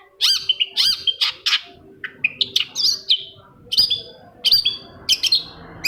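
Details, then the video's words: A shrike, played as a lure to provoke other shrikes into answering, sings a fast, varied string of harsh chattering notes and high whistled slurs in quick bursts with short pauses. "Singing of shrike bird"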